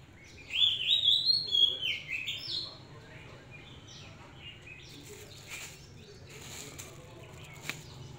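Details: A captive, hand-reared Oriental magpie-robin gives a lively two-second burst of clear, bouncing whistles, then fades into scattered quiet notes and a few clicks against steady low hum.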